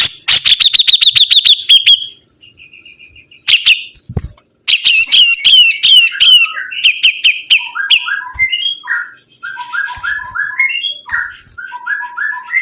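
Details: Sibuntung bird singing vigorously: a fast string of sharp high repeated notes, a short pause and thud, then long varied phrases of slurred chips and lower mellow whistles stepping up and down in pitch.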